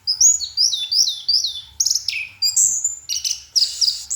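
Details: An orange-headed thrush gives its night song: a rapid chain of high looping whistled notes, then harsher buzzy bursts and piercing sustained whistles near the end.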